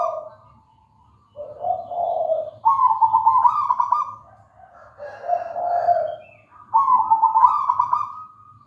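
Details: Local wild zebra dove (perkutut) singing steadily, burred trilled coos that climb from a lower note to a higher one and back, in phrases about three seconds apart, with low hum behind.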